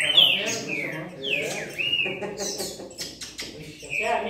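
A saltator sings clear, ringing whistled phrases with quick slurred notes rising and falling, pouring out in a lively run with short pauses.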